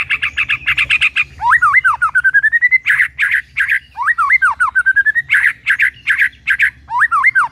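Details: White-rumped shama in full varied song: rapid chips alternate with swooping whistled slurs and rising strings of clear notes, the phrases repeating in a lively mixed sequence.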